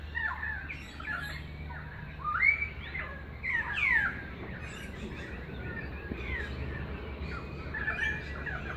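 Currawongs give loud ringing, sliding whistled calls, the strongest swooping up and down twice in quick succession, over a busy chatter of other birds and low background rumble.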